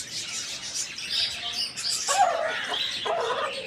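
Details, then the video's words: Rooster crowing in the morning: a harsh, harmonic-rich crow begins about midway and runs to the end in broken, strained bursts, over a steady background of high, rapid chirping from many small birds. "Chicken rooster crowing in the morning"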